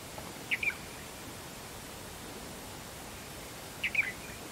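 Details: Red-vented bulbul (Bengali: bulbuli) calling: two brief bursts of clipped, chirpy double notes about three seconds apart against a quiet, hissy background.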